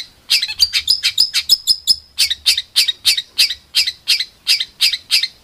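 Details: Rough 'tembakan' style songbird tutor recording for contest birds: a quick cluster of sharp chips opens, then strong clipped notes repeat evenly, about three per second, to the end.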